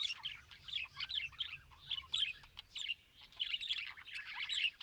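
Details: Several budgerigars warble in short chirpy bursts, each lasting about half a second, separated by brief quieter gaps in a steady rhythm.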